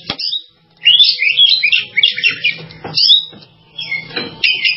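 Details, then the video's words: Oriental magpie-robin producing lively, intricate warbled phrases with sweet whistles, pausing briefly between bursts, over a faint steady hum. "SUARA BURUNG KACER"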